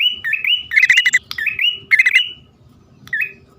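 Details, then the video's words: Bar-winged prinia lure recording of a male and female calling: sharp upslurred whistled chirps alternate with quick buzzy rattles, then a pause and one last rising chirp. "suara pikat prenjak poci/hutan jantan dan betina memanggil jitu"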